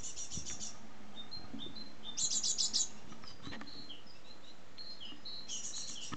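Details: Great tit fledglings on their first day out of the nest, staying near it about an hour before flying off, give bursts of very high, rapid, hissy chirps with thinner scattered tweets over a low rumble.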